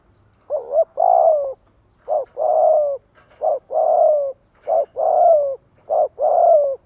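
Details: Spotted dove decoy bird cooing to lure wild doves into answering: four mellow phrases, each a short clipped note then a longer wavering, falling coo, repeated about every one and a half seconds, quiet background.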